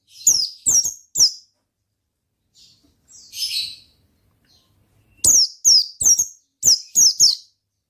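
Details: Energetic gacor ngalas singing from an Oriental white-eye: a trio of piercing downslurred chirps, a quiet gap holding one hoarse buzzy note, then a rapid run of six more high descending chirps.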